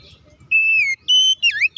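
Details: Oriental magpie-robin in strong fighting-style song, meant to make other magpie-robins sing and get agitated. A long, slightly falling pure whistle is followed by a steady high whistle and a quick twisting note.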